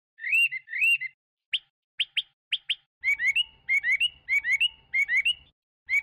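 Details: Chinese hwamei song with arched whistled notes, a run of quick sharp upslurred notes, then repeated two-part rising whistled phrases about every half second, a low hum beneath.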